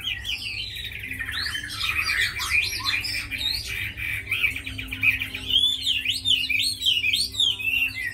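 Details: Tame Chinese hwamei kept in a cage, praised as a good fighter and singer, giving a dense, unbroken medley of chattering trills and swooping whistles that grows more fluid toward the end.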